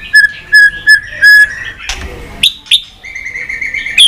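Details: Stimulating White-rumped shama song for training birds: four short, clear whistled notes at an even pace, a harsh rasp, two sharp upward slurs, then a long steady whistle ending in a bright rising note.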